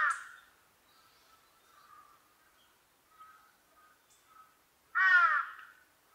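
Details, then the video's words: A large-billed crow gives its ground call: two loud, hoarse caws about five seconds apart, with fainter, softer calls in the gap between them. "ハシブトガラス 地鳴き"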